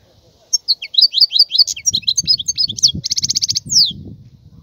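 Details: Starting after a near-silent moment, a wild goldfinch sings a run of sharp zigzag chirps, then a steady buzzy trill and a falling whistle, over low background rumble.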